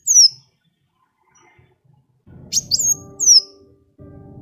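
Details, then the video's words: Sunbird singing, used as a lure to get other birds singing: one loud, high, falling whistle, then a pair of sharp downslurred notes after a pause. Low mechanical humming and rumbling sound underneath. "SUARA KOWUL GACOR ISIAN SUPER MEWAH"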